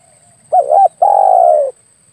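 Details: Spotted dove lure call for hunting: a wavering doubled hoot, then a long, even coo that dips slightly at its end. A steady high-pitched whine runs throughout.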